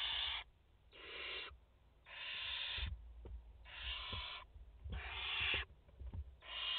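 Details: Barn owl mother with four chicks at the nest in France, 30 August 2021; harsh, breathy hissing screeches in half-second bursts, six in under seven seconds, with low rumbling and faint clicks between them.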